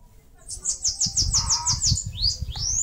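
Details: High, rapid trill of about nine buzzy slurred notes from a Bananaquit building its nest in a mandacaru cactus, northeastern Brazil, ending with two upward-sweeping whistled notes; soft low rumble underneath.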